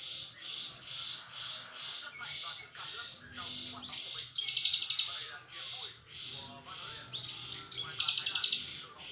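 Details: Brenjangan song meant to tutor other songbirds: rapid repeated high chips, about four per second, building into louder rattling bursts mixed with whistles and chatter.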